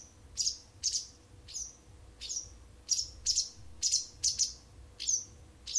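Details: A wild bird that has sung to an indoor cat every morning and evening for nearly a month gives bright, high, short chirps, roughly ten in a steady run, sometimes doubled, over a quiet low hum.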